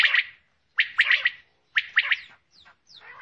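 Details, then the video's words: Female common quail giving quick clustered notes, harsh and buzzy, in doublets and triplets about once a second, with fainter thin notes trailing at the end. "Female Batair Ki Awaz| Common Quail"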